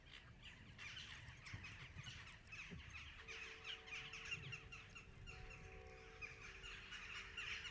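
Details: Western jackdaws in a busy chorus of short, sharp overlapping calls during courtship, as males try to win mates with flattery and small gifts; pairs formed around two years old last for life. A soft sustained musical tone plays underneath from midway.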